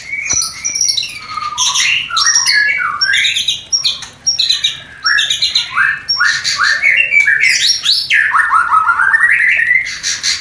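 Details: White-rumped shama courtship lure for a newly paired couple not yet breeding; loud, varied song of whistles, rattling notes and harsh sections, ending in a long rising-falling whistled phrase.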